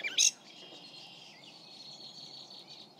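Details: Gray catbird (Dumetella carolinensis) song recorded from 40 feet away in a microphone comparison: one short, loud, scratchy high note, then fainter thin high warbling over a quiet background hiss.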